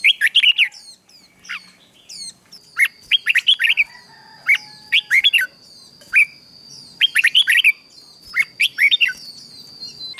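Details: Red-whiskered bulbul singing at dawn to train and excite newly caught birds into fierce song: repeated short phrases of fluty, rising whistles and chirps, given every second or two throughout.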